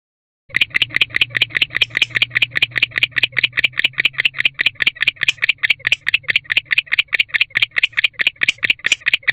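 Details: Male barn owl in an owl box, chirping in hope of being joined by a female during winter courtship, 27 October 2023 at 6:49 pm; rapid, steady series of short raspy chirps, about two to three per second, after a brief silence.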